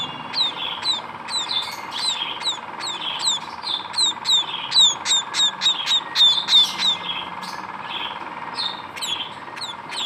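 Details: Munia chicks calling in a rapid series of thin, high chirps, each a short downward-curving note, a few per second, with a steady low hum underneath.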